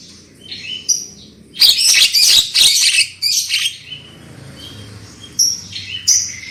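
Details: Black-winged myna used as a lure to prompt birds to sing loudly: a loud harsh chattering burst in the middle, framed by quieter clear whistles and short upslurred notes, over soft low background noise.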